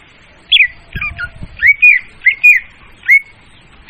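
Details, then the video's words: Loud, clear leafbird lure song for trapping birds: spaced, slurred whistled phrases, some rising and falling, repeated about once every half second, with a few dull thumps in the background. "suara pemikat burung murai daun||suara jernih dan volume keras."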